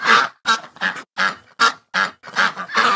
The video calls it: Ducks Sounds